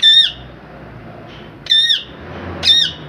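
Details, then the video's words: Three brief, loud, ringing parrot squawks, each sliding up then down, spaced over about three seconds against soft background noise. "Cute parrot talking Natural Sounds voice"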